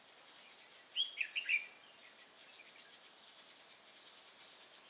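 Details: A short phrase of four quick, sharp whistled notes from a red-whiskered bulbul, recorded while trapping with a decoy bird at Nuông Dăm, 6/5/2018, with constant high-pitched insect buzzing behind.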